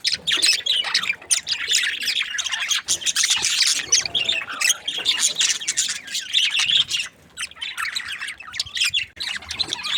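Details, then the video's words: Budgies in a happy mood chirping nonstop: a busy, high-pitched jumble of scratchy warbles and squeaks with a short dip in loudness late on. "Happy budgies chirping sounds"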